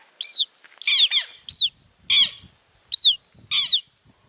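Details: Newly hatched southern lapwing chicks noisy from birth, giving loud, high, harmonic peeping calls that drop in pitch, in irregular bursts of about six notes over four seconds, some doubled, with faint low rustling between.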